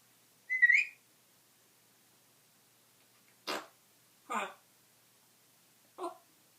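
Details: A pet African grey parrot (Psittacus erithacus) gives one bright, wavering whistle, then three short, rough bursts about a second apart mimicking burps and farts.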